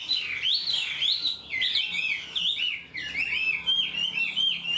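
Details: Chinese hwamei, a 'mộc' bird that sings keenly with a full song like a tamed one; vigorous looping whistles swoop up and down in quick succession, with one brief break, over a faint low hum.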